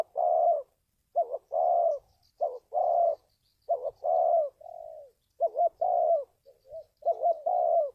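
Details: Spotted dove calls played to train decoy birds and lure wild doves for trapping. Low hollow coos come in short bursts: quick stuttered notes followed by longer wavering coos, repeated about every one to one and a half seconds, with silent gaps between.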